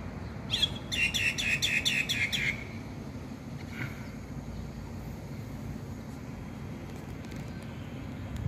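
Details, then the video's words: Myna in Taiwan singing energetically: a rapid burst of about seven harsh, rasping notes in quick succession lasting under two seconds, then only a faint note and steady low background noise. "burung jalak ditaiwan gacor"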